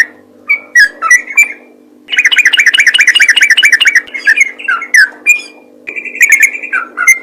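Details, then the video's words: Yellow-vented bulbul singing ropel gacor style, with scattered bright whistled notes, a burst of rapid rolling warbles, then more spaced whistles and chirps against a low electrical hum. "BURUNG TRUCUKAN ROPEL GACOR"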